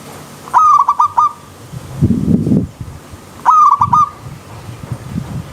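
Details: Wild zebra dove singing near a river stream: two rolling phrases of clipped coos, separated by a brief low rustling noise.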